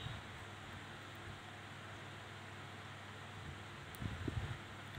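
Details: Steady wind and low mechanical rumble fill the recording, with a brief soft thumping near the end and no animal calls.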